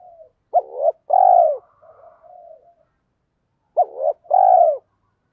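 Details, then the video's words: Lure coo of a spotted dove used to trigger wild males to answer: two clear phrases, each a quick note, a rising hooted note and a long drawn coo, separated by quiet soft murmuring. "chim cu gáy mồi giọng thổ pha thúc gù như máy khâu, bổi nghe ức chế gáy theo, mở là gáy"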